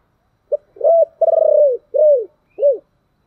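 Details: Spotted dove with the thổ voice cooing to urge and call: one short note, an arched coo, an extended pulsing coo sliding down, then two rounded low coos.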